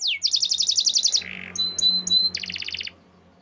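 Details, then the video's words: Canary song of rapid repeated high trills: a fast pulsed phrase, a short buzzy burst, then clear whistled notes and another quick trill, with a faint low hum underneath. "Natural Sound of Forest Birds Chirping || Canaries"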